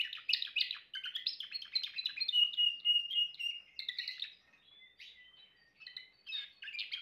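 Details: Song of a Timbrado canary: dense chattering trills at first, then smooth level whistled tones, and after a brief lull, short scattered notes.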